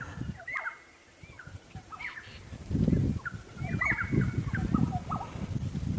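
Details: Several Black-headed Orioles, perhaps six, sing on 5 October 2016 at breeding time, possibly in a territorial dispute. They give short, liquid, fluty whistles in scattered phrases, some rising or slurred, over a low rumble of wind or handling noise.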